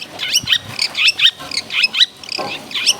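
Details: Long-tailed shrike in energetic full-repertoire song, aimed at stirring other shrikes to sing: dense, scratchy chattering with quick upward-sweeping buzzy notes, several per second, without pause.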